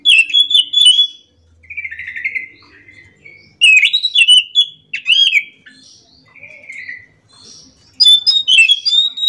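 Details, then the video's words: Rolling morning song from an orange-headed thrush: clear whistled phrases mixed with harsh, buzzy rasps, delivered in three bursts spaced by brief quiet pauses, with faint low murmuring in the background. "kicauan Anis macan gacor ngerol"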